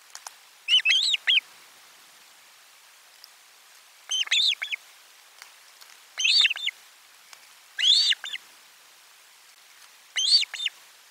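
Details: Fish delivery at an Osprey nest at lunch, 12 July 2022. Short clusters of piercing, arched whistles recur roughly every two seconds, each burst a quick double or triple chirp.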